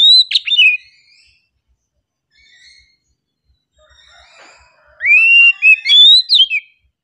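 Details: Calm song from an oriental magpie-robin: a burst of sharp whistled notes, a long pause with faint soft sounds, then rising swooping whistles and quick flourishes.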